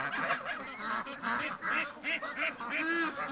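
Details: Blonde domestic goose honking in a run of harmonic, nasal calls, roughly two to three per second, with other geese calling around it on the farm.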